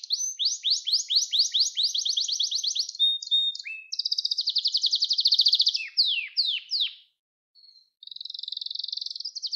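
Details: Canary song for training young canaries: a long series of quick falling whistled syllables, short notes, an intense rapid trill, a few sweeping descents, a brief silence and a final buzzy trill.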